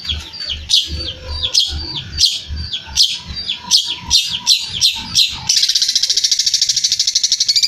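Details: Long-tailed shrike in lively full song: a series of sharp, harsh, rising chirps repeated about every half second, then a fast rapid chattering trill in the last two seconds.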